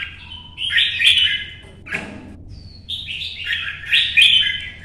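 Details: Competition singing by a red-whiskered bulbul in Vietnam: two rich warbled phrases of rapid slurred whistles with a faint lower rustle between them, low hum in the background.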